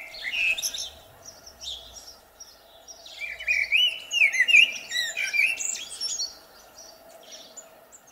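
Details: Blackbird singing in spring: mellow, fluted warbling phrases with higher twittering flourishes, strongest in the middle of the clip and then fading, over a steady low background hum.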